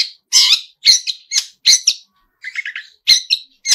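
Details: Long-tailed shrike (pentet) in energetic song full of mimicked phrases. Loud, harsh chattering notes come in doubled bursts, broken by a short pause and a soft, stuttering series of lower chirps.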